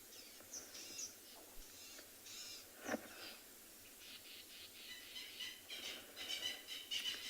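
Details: Francolins in bushy Kalahari habitat at Tswalu Kalahari Reserve, South Africa, at sunset on 14 June 2020, during a search for a leopard: harsh, grating bursts in an uneven rapid series growing louder; guide wonders what they're shouting about. Faint background hiss.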